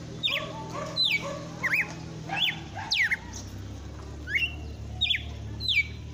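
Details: In late afternoon, a red-cowled cardinal sings vigorously, in what is locally called 'açoitando': sharp slurred whistles, some swooping down, others climbing, given in quick irregular succession about every half second, with a steady low hum behind.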